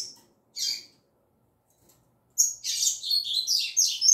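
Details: Female double-collared seedeater giving its tui tui zel zel song: one shrill high note, a pause, then a rapid, dense run of buzzy, chattering high notes that keeps going to the end. The background is quiet.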